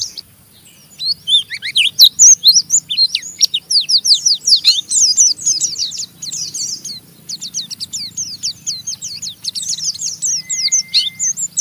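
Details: Oriental white-eye giving a rough chattering song meant to stimulate other white-eyes to sing along: dense bursts of high, fast, scratchy notes repeated rapidly, with one short steady whistle near the end.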